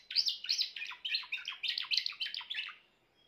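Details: Song of a grey Timbrado canary: rapid rolling trills and chattering phrases, bright and high, running steadily for nearly three seconds before fading to quiet.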